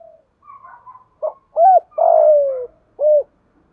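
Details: Spotted dove lure bird calling in the 'giọng thổ' voice style, used to provoke and train new doves: soft mid notes, then a short note, two arched coos around a long downward-sliding drawn coo, in a quiet setting.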